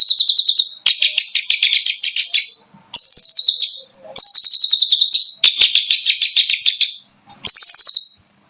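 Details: Cendet provocateur song from a long-tailed shrike of East Java: dense, vibrating, high-pitched trilled phrases of about one to two seconds, separated by short silences, with one sharper, clearer trill near the end.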